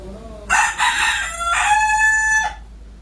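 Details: Desi village rooster crowing in the morning: one loud, strained crow of about two seconds, broken at first and then a sustained ringing note that drops away at the end, with quieter low sounds before it.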